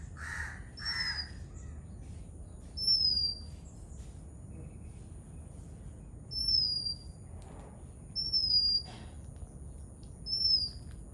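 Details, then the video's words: Sri Lankan oriental magpie-robin singing: sweet descending whistled notes spaced two to three seconds apart, interspersed with brief rough noises, over a faint constant hiss. "How does Magpie Robin chirping sounds"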